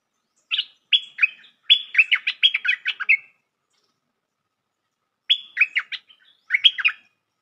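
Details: Trapping lure of a bulbul known as merbah lekir: a rapid, tumbling string of a dozen liquid chattering notes, a long pause, then two shorter bursts of similar bubbly notes.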